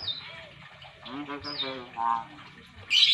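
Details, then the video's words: A young Nias hill myna just learning to talk chatters in imitated human speech, with word-like harmonic phrases mixed with sharp high whistles, ending in a scratchy burst. "Beo nias cerewet banget"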